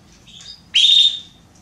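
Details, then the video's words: Female Belgian canary calling for a mate, a faint thin note followed by one strong upswept whistle held level for about half a second. "Canário Belga Fêmea Pedindo Gala"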